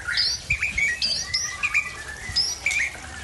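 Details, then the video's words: Aceh white-rumped shama from Tangse singing its learned repertoire: scattered sharp whistled notes and short slurred phrases with brief pauses between bursts. "Murai Aceh Asal Tangse Bongkar Isian"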